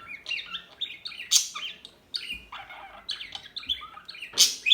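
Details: Small birds twitter in quick clusters of warbling, slurred high notes, broken by a short pause and punctuated by two very sharp, loud chirps.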